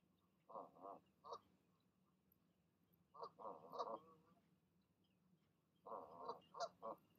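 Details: A goose pair calling in the evening as they urge their goslings to leap from the nest: short harsh nasal honks in quick bursts of three to five, separated by pauses.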